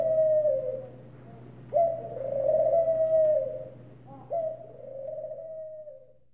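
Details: Ring dove cooing: a short coo, then two long, smooth, drawn-out coos, each about two seconds, steady in pitch and gently falling at the end. A low constant hum runs underneath.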